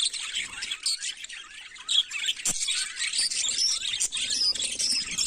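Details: Morning twittering from budgerigars: busy, overlapping squeaks and warbled chirps in a continuous stream, broken by two sharp clicks near two and a half and four seconds.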